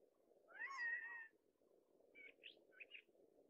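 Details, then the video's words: A male Gambel's quail in the Sandia Mountain Wilderness on a windy day, announcing breeding availability: one loud, nasal, mewing note that rises then holds, followed by four short, softer notes over a steady low hum. "Male Gambel's Quail Bird Call"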